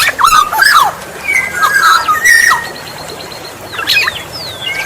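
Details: Black-naped oriole (kepodang emas) sounds used as a lure for other orioles: several fluty whistled slurs, some falling and some held, with busy higher chirps and squeaks from other birds around them.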